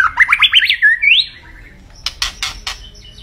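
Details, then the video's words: Rapid warbled trill climbing in pitch from a white-rumped shama, ending in a rising whistle, followed by a few harsh clicking notes. "Kicau Burung Murai Batu Gacor"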